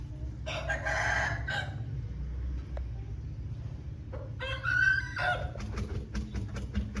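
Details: Pure Lasani Aseel rooster crowing: a hoarse, drawn-out crow lasting about a second, then a second harsher crow a few seconds later, with a steady low rumble of background noise throughout.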